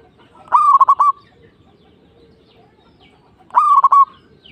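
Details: Local zebra dove from Indonesia: two phrases three seconds apart, each a sharp rising note followed by a quick stuttering run of coos, over a low, soft background murmur.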